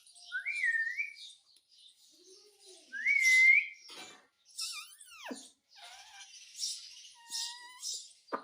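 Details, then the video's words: Parrot talking about roti: clear whistled notes that slide upward, then a sharply descending squawk and softer wavering tones, indoors. "मम्मी मिट्ठू को रोटी दो _ Parrot Talking Everything"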